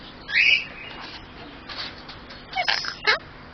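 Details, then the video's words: Captive male superb parrot talking, imitating human phrases like thank you and hello; a loud bright whistled note opens, followed by short scratchy speech-like bursts and a clipped final syllable, with quiet indoor background. "my superb parrot talking"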